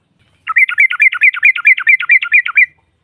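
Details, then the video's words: Yellow-vented bulbul female, used to provoke rival birds: one unbroken two-second burst of rapid, rolling, bubbling notes. "SEKALI PUTAR SEMUA TRUCUKAN NYAUT NGROPEL Seketika"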